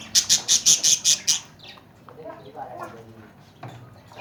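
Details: Tame Kashmiri raw Alexandrine parakeet kept as a pet in Pakistan, giving a run of seven loud, harsh, evenly spaced squawks, then quieter chattering and a human voice in a small room.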